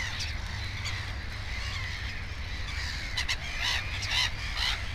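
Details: Black-headed gull at its nest with two chicks: harsh, rasping calls overlap in a busy chorus, growing louder and more frequent toward the end, over a steady low hum.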